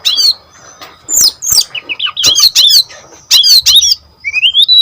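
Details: Brown-chested jungle flycatcher singing actively, used as a lure to get other birds singing: a varied run of short whistled notes, rising and falling slurs and squawky bursts, ending in a long rising whistle.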